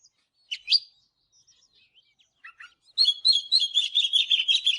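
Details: Oriental magpie-robin in the morning: a few scattered sharp chirps and soft notes, then a loud, fast run of bright whistles and trills for the last two seconds.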